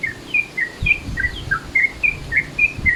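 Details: Sooty-headed bulbul giving its midday-mode call, used to attract birds: rapid bright whistled chirps, some slurred downward, following closely one after another, with faint low thumps beneath.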